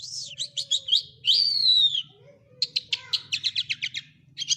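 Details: Quetta lark: a sliding whistled note, a rapid series of clicking chirps, a long descending slurred whistle, then more fast, evenly spaced ticking notes over a soft hum.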